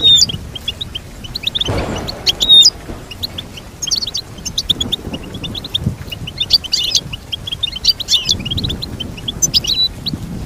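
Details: Goldfinch singing a long run of rapid, high chirps and twitters, with bursts of louder trills throughout and a brief low rushing noise near two seconds.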